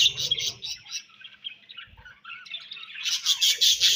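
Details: Budgies chirp in quick, scratchy notes that grow softer midway and then swell into a loud, busy chatter for the final second.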